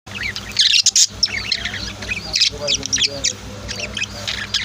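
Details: Pet budgies and lovebirds kept at home chirp in a busy, overlapping chatter of sharp high tweets and short squawky bursts, with brief pauses between flurries and a steady low hum underneath.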